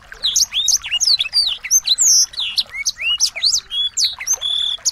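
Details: Busy medley of small birds meant to provoke a white-rumped shama to sing: quick, high swooping whistles and chirps follow one another closely throughout, with a couple of flat sustained notes near the end.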